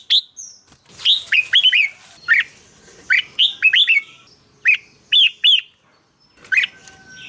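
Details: Song of a red-whiskered bulbul kept in a cage, played to rouse caged birds: spaced phrases of two or three liquid, downward-slurred whistles, each introduced by a sharp click, with quiet gaps between.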